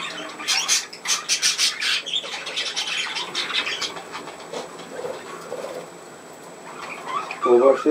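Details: Indoor pet budgerigar at play, 27 August 2024, chattering in a fast run of scratchy, clicking squawks that fade into quieter murmuring before a short louder note at the end.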